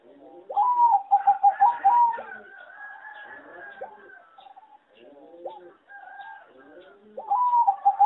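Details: Zebra dove raised on a farm for singing competitions, said to sing badly. Rapid runs of short, clipped coos at the start and end, with murmuring from other doves between them.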